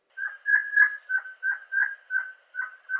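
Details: Crimson-headed Partridge of Bornean montane forest calling in a fast run of ringing, metallic notes, about three a second, each short, mid-pitched and slightly dropping, with one faint high note partway through.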